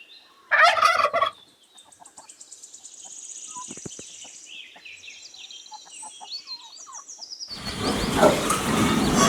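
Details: Turkey giving a loud, rattling gobble of under a second near the start, followed by quiet scattered chirps and a rising burst of broad noise at the end.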